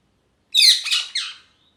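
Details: A happy parrot gives one loud, harsh, noisy squawk of about one second, broken into three rough bursts that fade at the end, in an otherwise silent background.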